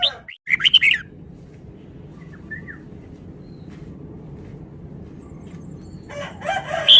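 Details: Fast song of a caged red-whiskered bulbul, a Vietnamese bird: a brief bright warbled phrase opens, a long quiet stretch follows, and another burst of sharp notes closes.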